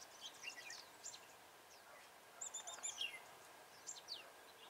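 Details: Red-whiskered bulbul singing as a trapping decoy to lure wild birds: faint, bright chirped and whistled notes in quick, twittering bursts, one near the start and another around the third second, over a steady background hiss.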